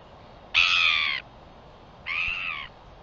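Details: Northern royal albatross recorded on 4 September 2021; two harsh, nasal braying calls, each lasting about half a second, separated by a one-second pause, with a faint background hiss.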